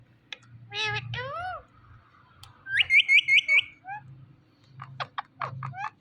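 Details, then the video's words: Indian ringneck parakeet talking: a few harmonic, speech-like syllables, then a quick run of five bright whistled upslurred notes, ending with short sharp chirps. "Funny Ringneck Parrot Talking Video"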